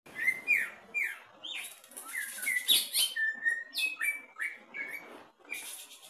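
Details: Caged greater green leafbird tested at the bottom of the cage, singing energetically: a rapid run of varied whistled phrases, slurred notes and short buzzy bursts, about four per second, high-pitched and continuous.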